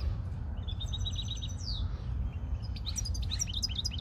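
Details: European greenfinches being tested: a short even trill, then a drawn-out buzzy descending note, followed by a cluster of quick high chirps and twitters, over low steady background noise.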